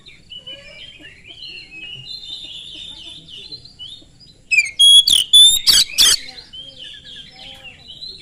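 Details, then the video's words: Oriental magpie-robin singing as a lure to other magpie-robins: soft rambling warble for several seconds, then a sudden burst of loud rasping notes and a clear whistle, fading back to quiet warbling. "kacer gacor sangat cepat memancing kacer nyaut ikut gacor dengan suara tembus"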